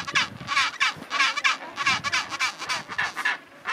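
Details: Braying chinstrap penguins in their colony at Orne Harbour, Antarctica, in January 2023: a steady chorus of raucous, donkey-like pulsed calls, roughly one and a half per second, many overlapping.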